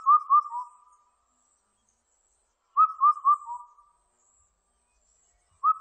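Indian cuckoo giving its mellow four-note whistled phrase, the last note dropping lower, repeated about every three seconds with nothing else heard.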